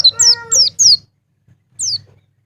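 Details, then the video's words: White-eye (pleci) giving high, thin descending notes in quick bursts, three close together and then one more after a pause, over a low hum. "PANCINGAN BURUNG PLECI NGALAS NGEPLONG"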